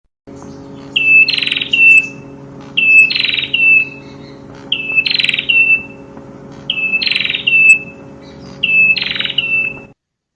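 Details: Prinia song: five phrases, each a high whistled note followed by a buzzy rattle and trailing whistle, spaced about two seconds apart over low continuous hum.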